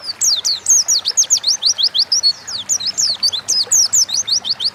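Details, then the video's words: Continuous Oriental white-eye 'gacor' song, dense rapid chattering of thin high slurred whistles with no breaks, several notes per second, recorded as a training lure for cage birds. "Burung pleci gacor ngalas pancingan bahan agar cepat bunyi"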